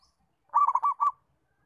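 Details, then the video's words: Single phrase from a local zebra dove used to train other doves to sing: four quick, throaty coos in under a second, the last set slightly apart, in an otherwise silent background. "Perkutut Lokal Mapan, bagus untuk melatih perkutut belajar bunyi"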